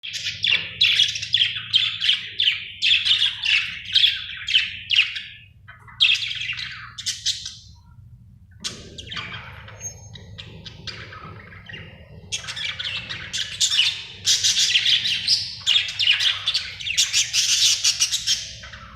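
A budgerigar chirps in rapid, scratchy bursts of high warbling notes, pausing briefly between runs.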